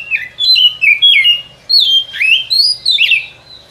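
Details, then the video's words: Forest trapping lure of a white-rumped shama: bright, fluting whistled phrases tumbling up and down, one brief pause midway, ending on a held high note. "Suara Pikat Burung Kacer ini Sangat Gacor, boleh di coba pikat di hutan"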